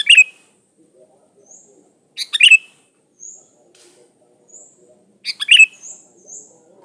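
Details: Sooty-headed bulbul in vigorous song used as a lure; punchy chirping phrases recur every few seconds, separated by faint, high, thin whistles.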